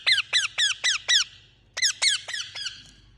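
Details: A pet Indian ringneck parakeet gives five harsh falling screeches, pauses briefly, then four more that fade in strength; low hum underneath.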